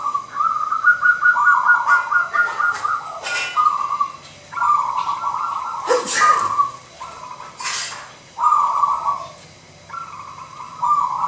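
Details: Local wild-type Zebra dove with a big voice, in full song at a dove singing contest: soft cooing rolled phrases on a steady low pitch, repeated in bursts about every two seconds, with clicks and handling noises between.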